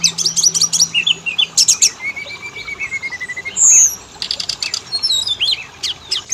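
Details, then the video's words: Oriental magpie-robin song as a lure to start males and females singing: chattering clicks, a long wavering low whistle, a loud high note, then more clicking bursts and chirps. "Pancingan burung Kacer; jantan betina langsung bunyi"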